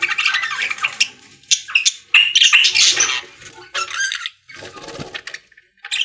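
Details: Budgerigars in a pet store chattering, with scratchy warbles, a whistled note and bursts of chirps amid low rustling and room noise.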